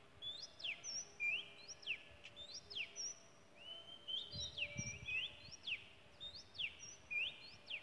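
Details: Wild Oriental magpie-robin in Malaysia singing: clear whistled phrases of rising notes that break into steep downward slurs, repeated rapidly and steadily over a faint hum of background noise.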